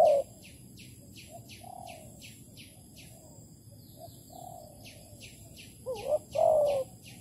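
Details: Spotted dove in Malaysia, 11 August 2020, during bird trapping with a decoy; soft distant coos at first, then one loud phrase of two short notes and a long wavering coo, with steady high chirping throughout.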